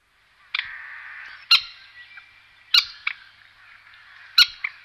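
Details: Common moorhen from La Moraña and Tierra de Arévalo, Ávila, Castilla y León, Spain, 2009: sharp abrupt harsh notes about once a second, some doubled, each with a brief ringing tail, in a quiet setting.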